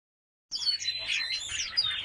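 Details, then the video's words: White canary singing, a training song meant to stimulate females for mating: after half a second of silence, a rapid run of high chirps, trills and short whistled slides. "تغريد كناري ابيض للتسميع و تهييج الانات للتزاوج | white canary singing"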